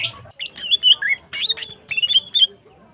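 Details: Female greater green leafbird, in heat, a lure to set males singing: harsh, chattering and varied notes mixed with high slurred whistles, in short bursts.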